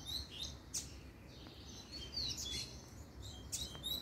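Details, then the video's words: Double-collared seedeater giving a puxada song: thin high chirps and brief descending whistled slurs scattered irregularly, against low background rumble. "PUXADA DE COLEIRO"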